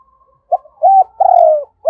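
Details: Spotted dove used as a lure, cooing to call in wild doves; a short note, a level rounded coo and a long slurred descending coo, with a faint steady tone underneath.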